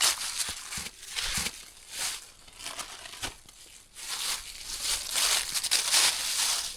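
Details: Loud crinkling and rustling, like material being crumpled or torn, comes in irregular bursts throughout, with no animal voice heard.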